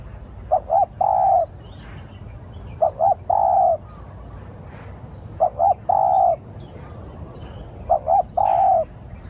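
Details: Spotted dove lure calling: four repeated phrases about every two and a half seconds, two brief coos then a sustained, gently falling coo, with faint background hiss.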